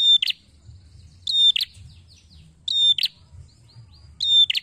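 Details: Red-headed prinia lure call: four high, piercing bursts about every 1.3 seconds, each a clipped whistle with a rattling buzzy tail, against a soft low rumble.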